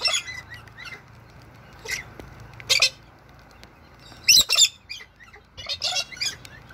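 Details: Wild galah, the pink cockatoo, visiting in Toowoomba, Australia, on a rainy day: harsh, screechy calls in short bursts, about five over seven seconds, some doubled, over a soft low background hum.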